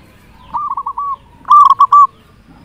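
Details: Local zebra dove with a big voice, kept as a lure for other zebra doves, giving a softer rolling phrase of looping coos followed by a louder, brighter one.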